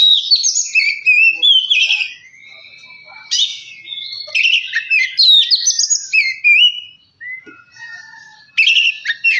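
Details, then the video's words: Magpie-robin song played as a lure to make birds sing fast and get worked up; lively bursts of whistles, chips and slurred notes separated by short lulls with long soft whistled tones. "Kacer males bunyi jadi gacor 🔥 pancingan Kacer biar cepat gacor dan emosi"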